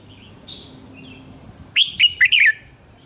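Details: A red-whiskered bulbul sings in the morning, a practice recording for training birds; soft chirps, then a loud burst of four clipped whistled notes dipping and rising.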